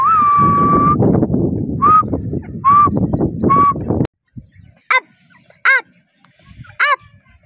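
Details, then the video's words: Female grey francolin giving drawn-out whistled notes over loud broadband rustling noise. After a silence come three separate, sharp, ringing notes, each about a second apart. "TEETAR's Mesmerizing Bird Song"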